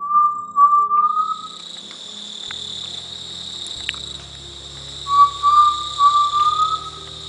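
Undulated tinamou giving mellow, slightly wavering low whistles in two phrases a few seconds apart, with a steady high buzz of insects throughout.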